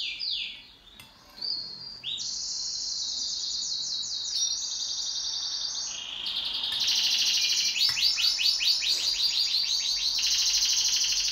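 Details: Pet canary singing in duet: quick descending notes, then extended high rolling trills, building into loud rhythmic pulsed tours repeated several times per second.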